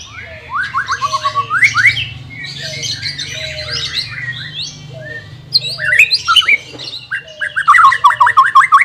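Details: White-rumped shama, played to train a bird reluctant to sing, gives rhythmic series of rising whistled notes, then a busier stretch of mixed chatter and a fast run of repeated notes, over a low hum.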